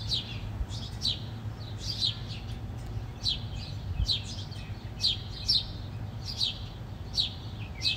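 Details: Rapid, overlapping chirps from several house sparrows squabbling, repeated steadily throughout, sharp falling notes with a faint low hum underneath.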